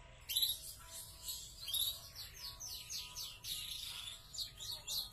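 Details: Big-bodied YS canary sings a rapid, high-pitched run of chirps, trills and sweeping whistles, with a faint steady hum underneath.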